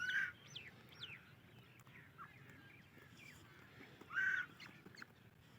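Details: Calls of a female grey francolin, used with her mate and chicks: a loud harsh note opens, another comes about four seconds later, with thin rising chirps of other birds in between.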